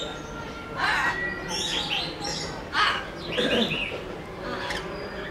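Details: Sulphur-crested cockatoo held at Belgrade Zoo, Serbia, filmed in 2021, giving short harsh raspy squawks, three main bursts spaced roughly a second apart, with a steady low background hum from the enclosure surroundings.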